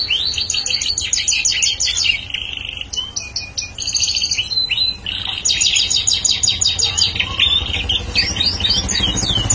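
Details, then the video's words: Bar-winged prinia, a lively singer used as a lure bird, singing bursts of rapid, high, sharp notes lasting a second or two, separated by brief pauses, over a faint low rumble. "prenjak paud gacor"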